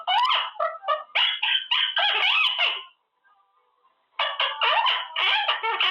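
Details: Caged male Quaker parrot practising words, with a bright, fast run of harmonic chatter and squawky syllables for about three seconds, a short quiet pause, then another burst of rapid chattering notes.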